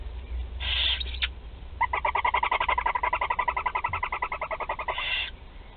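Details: Four young barn owls being fed at a Théding nest, 16 July 2020: a hiss, then a long even run of fast ticking pulses for about three seconds, closing with another broad rasping hiss.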